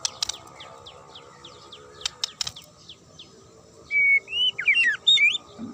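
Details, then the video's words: Magpie-robin singing sharply to stir other birds into replying. Soft ticking notes come first, then a burst of loud, twisting whistles rises and falls over the final two seconds. "DIJAMIN Langsung NYAUT dan NGAMUK Pake Suara TAJAM Murai ini"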